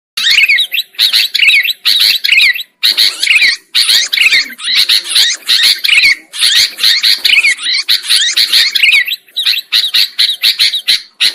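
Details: Sooty-headed bulbul lure recording for trapping birds: dense, overlapping chattering of several birds, with harsh slurred notes rising and falling, in bursts separated by brief gaps.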